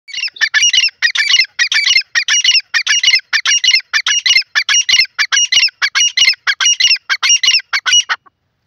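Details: Grey francolin calling in a loud, harsh series of squawky, rattling notes, about a dozen phrases repeated steadily roughly every half second, with no other sounds.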